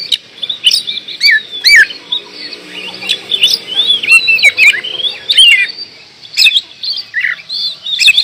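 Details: Lively oriental magpie-robin song: a fast medley of sweet whistles, downward slurs and chattering notes with several sharp percussive clicks, ending in a short quieter gap before more phrases.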